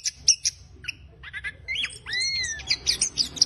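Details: Orange-headed thrush giving a rough, scratchy chattering song meant to prompt silent birds of its kind to sing, with squeaky notes, then two long, loud whistles that swoop up and slide down, over a faint low hum.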